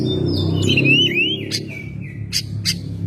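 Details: Home-kept Oriental magpie-robin in active song: sliding whistled notes that rise and fall, a long level whistle, then two sharp scratchy calls, all over a strong low-pitched hum.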